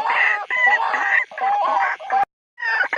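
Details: White-breasted waterhen territorial call, played as a lure by day and night: loud, harsh, croaking notes in rapid bursts about every half second, then a brief break before resuming.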